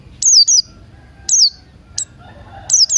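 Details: Early-day song of Buxton's white-eye, used to prompt other birds to sing, mixed with Crested Jay sounds: a quick pair of high, falling whistles, then single notes and another pair, over low background hum.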